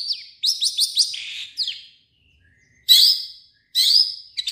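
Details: A long-tailed shrike gives quick dropping whistled notes in a short run, then after a pause two harsh, chattering bursts, part of a song that borrows other birds' calls.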